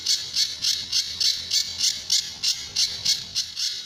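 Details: Master recording of a Sunda bush warbler (pijantur) with characteristic tembakan and besetan notes for tutoring other birds: rapid, evenly spaced, harsh high-pitched rasps, about three to four each second, loud and clear throughout.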